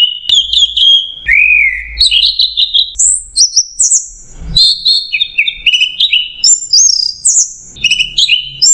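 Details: Orange-headed thrush song in a masteran training recording of the "macet jernih" style: a continuous run of clear whistled phrases jumping between mid and very high pitches, with sliding notes and brief trills and no gaps.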